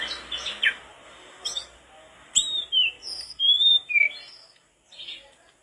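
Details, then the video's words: Mangrove blue flycatcher (tledekan bakau) in persistent song, recorded as tutoring material: separate clear whistled notes, some gliding down and others held level, alternating with brief chirps and short gaps. "tledekan bakau gacor teler"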